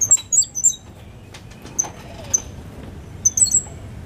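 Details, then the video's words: Five-month-old Cuban grassquit hatched in 2022, kept bird with a loud clear whistling song in Australian style; a few quick high whistled notes at the start, then scattered single thin whistles and a short closing phrase. "Tomeguin del Pinar de 5 meses."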